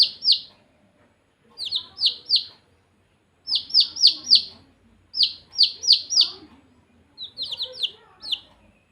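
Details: Baby chickens peep in quick bursts of two to five high, downward-sliding notes, with brief pauses between bursts.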